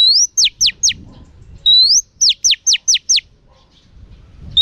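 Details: Female oriental magpie-robin in training, singing a rising whistled note followed by a quick run of sharp downward-sweeping chips, about four in a row, the phrase then repeated; quiet background.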